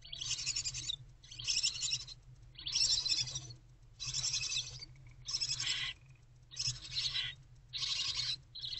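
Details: Nest-box barn owl chicks at night on 11 February 2024, their mother away for a break, produce long noisy snoring hisses, about one per second and a quarter, some bursts stronger than others.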